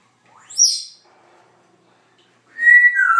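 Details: Pet Congo African grey parrot whistling: a quick high sweep rising sharply, a pause, then a steady two-part whistle that steps down in pitch at the end.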